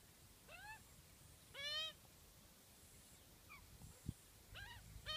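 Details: Australian magpies, one adult and two juveniles, give begging and adult calls: five harsh, nasal, arching squawks at uneven intervals over five seconds, over a faint steady hiss and one dull knock.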